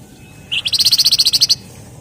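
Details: Wergan jawa (flamboyan), the Javan fulvetta, in full 'ngebren rapat' song: a sharp lower opening note, then a fast even run of about eleven high buzzy pulses over one second, against low background hiss.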